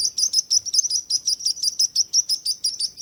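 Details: Bird chirps repeat at close to three per second, each a short, clear tweet bending slightly down in pitch, over near silence.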